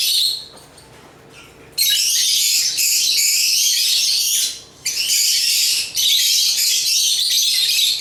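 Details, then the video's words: Agapornis lovebirds singing in a sustained shrill chatter: a quiet start, then loud, high, scratchy chirping that runs almost nonstop, broken by one short gap before resuming. "African Love birds Agapornis chirps singing sounds"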